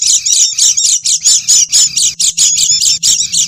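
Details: Oriental white-eye sound used as a lure to attract wild birds: a noisy, busy stream of high, harsh chattering notes repeated about three times a second, with a faint low hum underneath.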